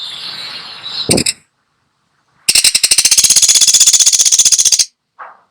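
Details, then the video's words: Woodpecker call used as training audio for songbirds: a loud, fast, high-pitched rattling series of about twenty clipped notes, roughly eight per second, lasting over two seconds, preceded by a short harsh note and followed by a brief soft sound. "Masteran Burung Pelatuk Sampit"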